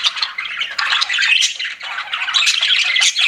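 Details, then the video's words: Budgies kept as pets give a loud, crowded chirping: scratchy warbles, squeaks and grating squawks overlapping in a steady high stream. "CUTE PET BUDGIES CHIRPING"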